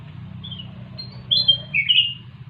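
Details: Kutilang emas, the sooty-headed bulbul, gives a soft opening note and then a loud whistled phrase of several slurred notes falling in pitch, with a low background hum throughout.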